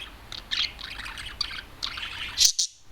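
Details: Adult male budgerigar, a loud and usually timid bird, singing while let out of its cage and perched on top of a television; soft chattering warble of scratchy chirps, ending in two louder sharp chirps.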